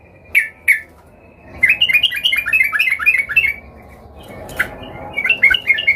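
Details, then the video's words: Agitated Sooty-headed bulbul seeking a rival, used as a lure for other bulbuls. Two chips, then a rolling bubbly warble, a brief lull with background noise, and a further burst of chattering notes. "Trucukan gacor EMOSI Mencari Lawan ini Paling pintar untuk pancingan trucukan agar bunyi gacor"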